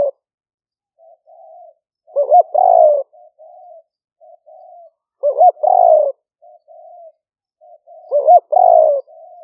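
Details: Decoy spotted dove cooing continuously in the liu fueang style, recorded live amid Thai paddy fields near Tao Lek, Roi Et, rainy season 2021, on a smartphone; three full phrases about every three seconds, soft hums linking loud burry coos.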